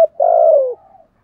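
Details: A single spotted dove coo in the 'giọng thổ' voice style: a brief clipped note, then one drawn-out, low, hoarse coo sliding slightly downward and fading.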